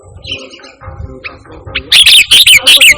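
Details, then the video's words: Sooty-headed bulbul singing actively, a pure song without borrowed phrases, used as a lure and tutor for training pet birds. Faint murmurs open the recording, then loud, bright chirping notes come in rapid, uneven bursts during the final second. "Suara Burung Kutilang Gacor Tanpa Isian || 100% AMPUH Untuk Suara Pangilan dan Masteran"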